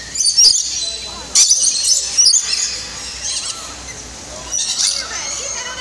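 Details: Captive lorikeets at an indoor aviary in Niagara Falls, Canada, crowding in for nectar at feeding time: sharp high squeals in scattered bursts, with voices and a low hum in the background.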